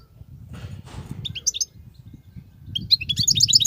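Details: Wild European goldfinch with 'betbetat' phrases in its nonstop song: a low rumbling background at first, then scattered high, liquid chirps that build into a quick twittering run at the end.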